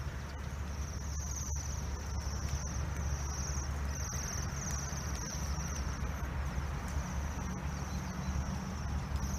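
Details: Bohemian waxwings in Oslo give thin, high, ringing trills, repeated in short bursts, over a steady low rumble of city traffic and wind.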